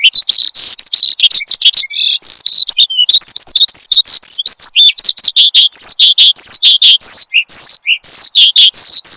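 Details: Oriental skylark, branjangan, singing energetically as a tutor sound for cage birds; a rapid unbroken medley of high chirps, downward slurs and buzzy notes.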